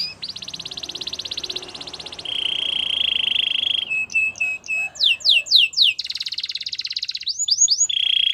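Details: Canary singing a training song, moving through long high buzzy rolls and steady trills into a run of fast downward-sweeping whistled notes, then back to rolled trills.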